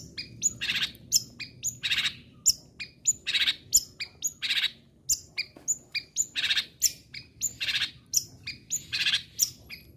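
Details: Long-tailed shrike repeating a harsh rasping phrase roughly every second, each rasp paired with a thin high whistle, in a recording meant to keep other shrikes singing.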